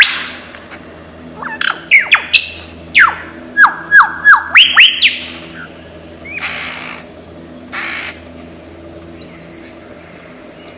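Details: Lyrebird, a highly imitative bird of Australian forests: a rapid series of about eight sharp whistled notes that slide steeply, followed by softer rushing sounds and a thin high whistle at the end.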